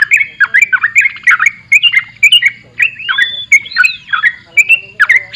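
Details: Sooty-headed bulbul singing energetically in a dense, continuous run of bubbly, chattering and squawky notes, with a brief drawn-out whistled slur midway and a faint low hum beneath.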